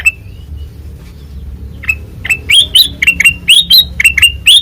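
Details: White-eyed kutilang emas in ngeplong song: one thin whistle, a pause, then a fast string of sharp rising chirps with ringing upper tones.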